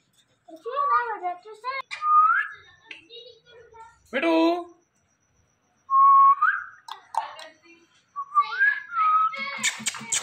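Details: Indian ringneck parrot talking: a busy run of speech-like chatter with clear whistled syllables that rise and slide, separated by short pauses, then ending in harsh, scratchy notes.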